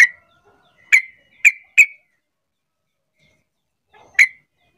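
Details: Sooty-headed bulbul call meant to make reluctant bulbuls sing along: five crisp, explosive chirps, three in quick succession mid-way, with quiet gaps between.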